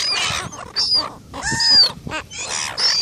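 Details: Gulls fighting for food: loud, harsh squealing and screeching bursts overlap one another, with rough, broken notes between brief gaps.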